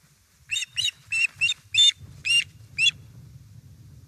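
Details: Osprey at a nest in Estonia on 1 September 2019, around 17:07, as fish is delivered: a short series of seven high, sharp chirps at uneven spacing, with low rumbling nest-camera noise underneath.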